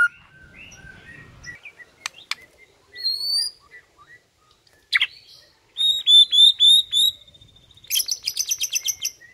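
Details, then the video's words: White-rumped shama singing in the morning to provoke rivals: scattered sharp notes, then a loud run of rapid repeated chips and a final fast buzzy trill, with quiet gaps between phrases. "HITUNGAN DETIK DI PAGI HARI BIKIN MURAI LAWAN AUTO NAIK EMOSI SEKETIKA"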